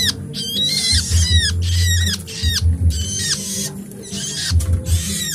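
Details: Hungry bird chicks begging noisily for hand-feeding: bursts of shrill, high, downward-sweeping chirps repeated in quick clusters, with a steady low hum underneath.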